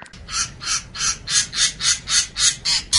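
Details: Long-tailed shrike training recording for other birds: harsh, raspy bursts repeated steadily about three or four times a second, each a short grating note, over a faint low hum.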